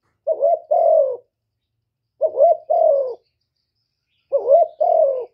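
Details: Decoy spotted dove, Cà Mau, Vietnam, luring wild doves with its coo: three separate two-part phrases, a short wavering note then a longer falling one, spaced about two seconds apart.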